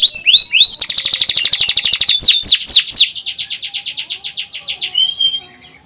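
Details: Domestic canary singing a high-pitched nyerilik-style song used as master song to train young canaries; rapid upslurred notes, then a fast dense trill, several louder sweeping notes and a rattling buzzy roll fading out.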